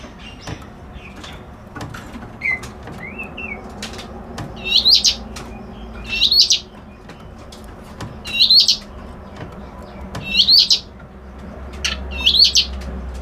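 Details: Reed warbler repeating a short, high, buzzy, twisting phrase about every two seconds, five times, after a few softer scattered notes at the start; faint low background rumble.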